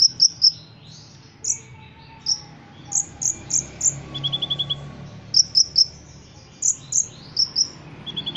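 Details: Ruby-cheeked sunbird, a caged Indonesian songbird trained for song competitions, singing its lively gacor song with cricket mimicry: bright, sharp high chirps in quick pairs and triplets, then a brief rapid lower trill, with soft background hum.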